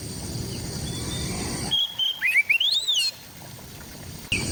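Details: Oriental magpie-robin singing in East Java, recorded with an Android phone: a loud, clear whistled phrase of rising slurred notes and quick upward sweeps lasting over a second, set between stretches of broadband noise and hiss.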